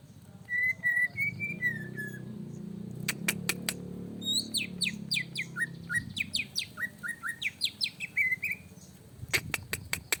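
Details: Greater green leafbird provoked to sing emotionally: bright whistled phrases, some rising and falling near the start, then a run of quick downward-slurred notes and sharp clicks, over a low humming background.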